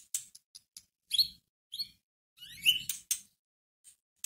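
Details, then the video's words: Caged white-rumped shama lure song, quieter: scattered sharp clicks and short high notes broken by brief buzzy whistled phrases with faint rustling. "Pancingan masteran pendongkrak emosi murai batu"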